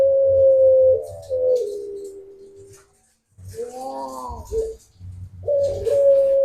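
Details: Barbary dove giving its prized long pelung-style coo: drawn-out, steady humming notes that sag and fade, a pause, then a wavering coo and another sustained note, with a low rhythmic thumping behind.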